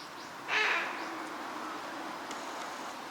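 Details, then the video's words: A wintering Eurasian wigeon on a park pond at Junsai-ike Ryokuchi, Chiba, Japan, in February 2026, gives a single brief, clear 'wheeoo' whistle, then steady hiss with faint distant calls. "ヒドリガモ鳴き声 (Mareca penelope) - カモの鳴き声 / Eurasian wigeon sounds"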